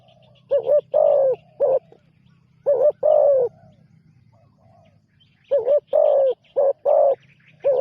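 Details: Newly trained spotted dove on its first outing as a ground decoy repeats groups of deep, rough coos, three to five notes per group, separated by short pauses. Faint chirps from other birds and a low droning hum sit underneath.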